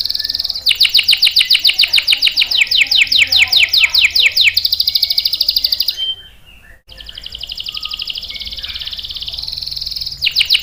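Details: Energetic canary song for luring and tutoring young and stalled canaries. Sharp, rapid trilled phrases run for several seconds, followed by a smoother rolling passage, a short silence, and another long trill.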